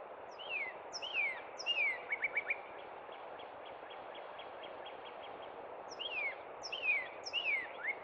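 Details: Cub Run northern cardinal in spring song: three falling whistles and a short burst of rapid notes, a soft series of quiet notes, then three more sliding whistles, against steady background noise.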